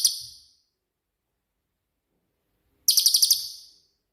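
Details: Cililin in 'tembakan' (shooting) song style for training songbirds: tail of one high buzzy trill, quiet gap, then a second sharp, very high, rapidly pulsed rattling trill under a second long.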